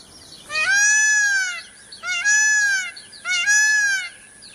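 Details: Repeated peacock calls, three loud drawn-out wails that start with a brief upward lift and then level off, roughly one every 1.4 seconds, with a steady high hiss behind.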